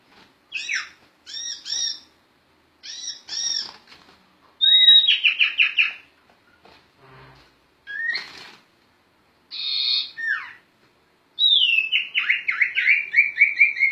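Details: Sirtu bird singing gacor ngerol, a tutor recording for other songbirds: several paired sharp chirps, a descending whistled trill, scattered notes, a rich harmonic call, and a long cascade of falling whistles.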